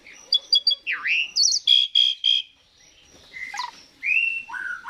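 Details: Asian pied starling song used as a lure recording to prompt other birds to sing: clear whistled notes, a swooping downward-then-rising whistle, loud harsh buzzy bursts in quick succession, then varied gliding whistles after a short pause.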